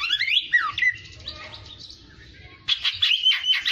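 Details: Kacer, or Oriental magpie-robin, in fighter-style training: rising and falling whistled slurs, a quieter muttered stretch, then a loud burst of buzzy chattering notes.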